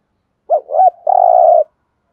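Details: Spotted dove giving a thúc gù style coo: two short wavering notes, then one long, steady, low hollow coo, with no other sounds.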